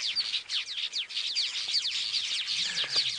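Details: Weavers at Djuma Game Reserve, Sabi Sand, South Africa, on a summer sunset drive in January, chattering in a dense continuous chorus of high, buzzy, sizzling notes and quick downslurred chirps, with a faint low murmur late on.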